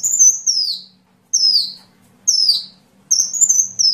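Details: Sunbird song meant for training songbirds: long, high whistles sliding steadily downward, repeated about every second, the last one rising into a wavering note before falling.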